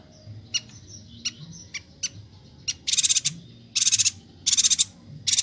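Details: Bornean yuhina used to train songbirds; faint high ticks and a soft whistle open, followed by loud, high, buzzy pulsed chatter bursts repeating about every second.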